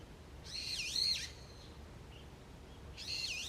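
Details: Early autumn morning wild bird song in woodland: two bright, high warbled phrases with rapid up-and-down twists, about two and a half seconds apart, over quiet background hiss.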